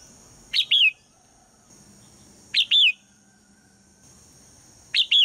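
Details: Female red-whiskered bulbul calling in the morning to get the male to sing. She gives a loud, clear, three-note whistled phrase three times, each about two seconds apart, against a quiet background.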